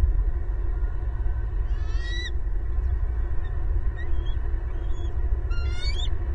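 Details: Bald eagle family of four at a large nest in a Southwest Florida pasture, spring 2022, nest camera: two bursts of high, stacked whistled chirps several seconds apart, with a few soft single notes between, over a constant low hum.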